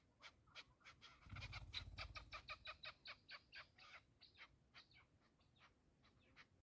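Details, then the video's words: A chukar partridge gives a fast run of harsh, clucking chuk notes, about three a second, that loosen into broken pairs toward the end, over a brief low rumble. "Кабк Keklik که و Partridge Chukar"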